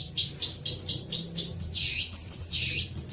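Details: Long-tailed shrike song used as tutoring material for young birds: quick, high, squeaky chirps delivered in an irregular stream, with some harsher, buzzy notes mixed in.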